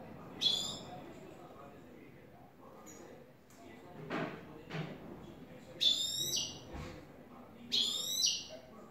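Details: New European goldfinch in clean "tres vueltas" song session giving short, sharp, high twittered notes spaced seconds apart, with a few soft knocking noises in between.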